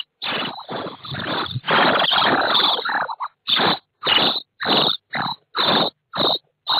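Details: Common starling chicks inside a nest box fitted with an IP surveillance camera, 24 May 2017: loud harsh rasping begging, first a continuous churning chorus, then separate noisy bursts about twice a second.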